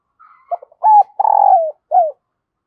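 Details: Spotted dove used as a decoy to call in wild birds gives a brief soft lead-in, a hooked note, a long burry falling coo and a crisp closing downslur. Nothing else is audible.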